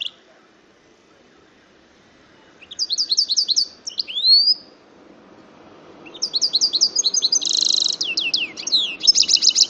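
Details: Goldfinch × canary hybrid, offspring of a male goldfinch and a female canary, singing in two bursts of rapid high chirped trills and rattles, with a rising whistled note between them and low background hum.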